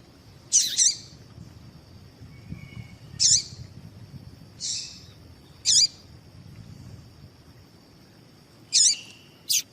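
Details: Female double-collared seedeater calls used to provoke male song; harsh high chirps repeated irregularly about every two to three seconds, some doubled, one buzzier, over a steady faint high whine.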